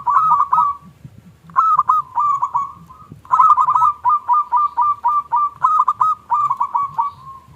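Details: Local zebra dove from Indonesia in the small KLUNG song style, used to prompt other doves to sing. Three phrases of quick, resonant cooing notes, the last a long, even run of about four per second.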